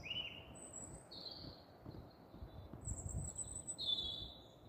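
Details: Night-singing European robin under street lights in Staple Hill, Bristol, recorded 13 April 2020; clear high whistled phrases, some sliding, others trilled, with brief pauses between them, over faint distant low rumble.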